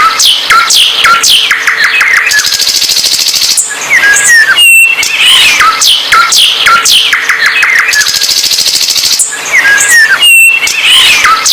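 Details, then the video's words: Bird song in a looping, repeated sequence. Rapid falling whistles, buzzy rattling trills and brief clear high notes recur roughly every four seconds, loud and continuous. "Burung Paling Gacor"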